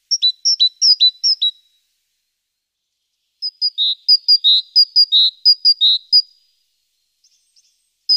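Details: Morning great tit at the nest on 14 April, webcam nest box: a fast run of high paired notes, a silent gap, then a longer phrase mixing thin high notes with fuller lower whistles.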